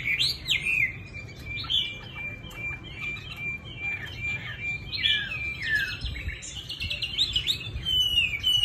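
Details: Caged Chinese hwamei in Định Công, Hanoi, Vietnam, with pale yellowish legs, singing loud slurred whistles over a long, steady, held whistled note. Bright rising and falling phrases break in at intervals.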